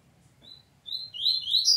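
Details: Double-collared seedeater in a family fight: a lone thin high note, then a sudden run of sharp slurred chirps climbing in pitch.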